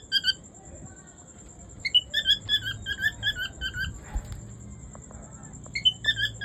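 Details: An albino cockatiel gives bursts of short, bright, rising-and-falling chirps, a meeting sound, with a faint steady whine behind.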